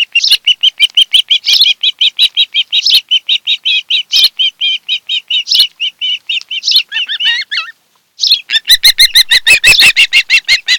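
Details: At a Kent Island, Maryland nest, an osprey couple is captured by webcam on 26 July 2018 in the afternoon. Loud, fast, steady chirping of clear whistled notes runs for most of ten seconds, with a brief pause before an even quicker burst.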